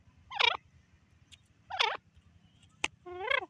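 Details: Female francolin giving loud, grating, looping calls spaced over a second apart, followed by a short tonal note with stacked harmonics, over a low background hum.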